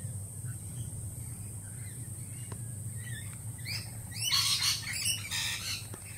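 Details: Lorikeets calling at a feeding spot, jittery after a peregrine falcon attack earlier in the week; faint chirps at first, then a loud burst of harsh, broadband screeches and squawks in quick clusters over a low steady hum.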